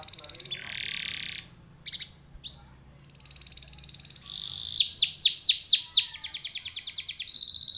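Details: Canary song meant to prompt other canaries to sing: buzzy trilled notes and brief chips, then a fast series of loud downward-swept whistles leading into rapid rolling trills.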